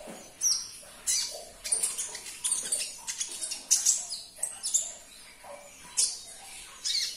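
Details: Sunbird (kolibri ninja) sound played to prompt a silent caged bird to answer and sing again; dense run of sharp, very high chirps and short twitters, many notes in quick succession.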